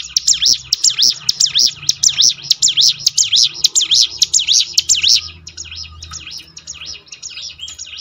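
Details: Song of a mountain prinia, played to train birds to sing more readily: a fast run of loud, high, looping whistled notes for five seconds, then softer, scattered chirps, over a faint low hum.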